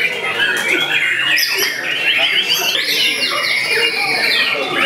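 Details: Contest-trained young white-rumped shama, eight to nine months of age, singing a busy series of descending whistled slurs, sharp ticks and rough notes with no gaps.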